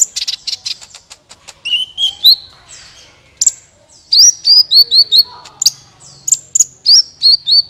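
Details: Sunbird song used to coax other birds into singing: a fast rattle of clicks, then sweet rising-and-falling whistled phrases repeated in a rapid series, high and bright.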